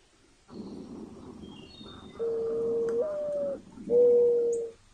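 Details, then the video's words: Mourning dove cooing: after a stretch of soft rushing noise, two low, smooth, hollow coo notes, the first held and stepping slightly upward near its end, the second shorter and louder. "Mourning Dove Calls and Sounds"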